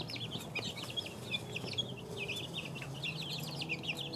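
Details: Two-week-old chicks in a busy peeping chorus, continuous overlapping high cheeps with quick rising and falling inflections, a low hum beneath.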